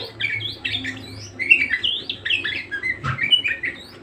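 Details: Budgerigar singing energetically, a rapid mix of squeaky chirps, buzzy squawks and wavering whistled notes with little pause, over a low hum.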